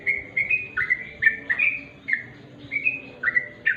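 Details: {'caption': 'Sooty-headed bulbul (trucuk) singing naturally in dim light: a lively run of short, bubbly, slurred chirps, some rising and some falling, about two or three each second, over a faint low hum.'}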